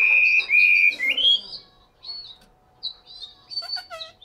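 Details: Chinese hwamei held in a cage in Hanoi, Vietnam, gives a few strong sustained whistles and a rising slur in the first second and a half, then soft scattered notes and faint chips.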